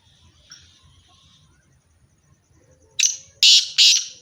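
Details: Black francolin pair, known locally as black or Irani teetar: near silence with low rumble for three seconds, then three loud rasping, buzzy bursts in rapid series.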